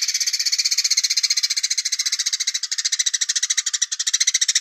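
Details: Velvet-fronted nuthatch, heard from a distance, giving a fast, high, dry trill of sharp chips, about a dozen per second, steady throughout with no other sounds.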